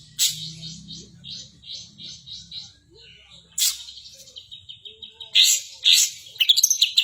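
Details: Long-tailed shrike song with kapas tembak imitations: a short run of repeated buzzy notes over a low hum, a pause, then a steady whistled note and sharp, bright bursts toward the end.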